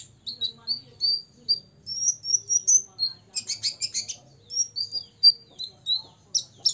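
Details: Six-year-old olive-backed sunbird in rival-provoking song: a rising series of clear high whistled notes, a dense burst of buzzy chatter, then more sliding whistles, loud and close.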